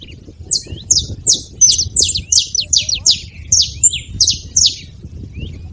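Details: Wild saffron finches making noise at a feeder: evenly spaced bright downslurred chirps, about three per second, a few faint wavering whistles mixed in, over a steady low rumble.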